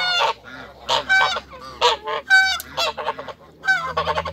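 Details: Farm flock of African and Toulouse geese calling during a meeting with people: a rapid run of short, harsh, nasal honks, several birds overlapping, with brief gaps between bursts throughout.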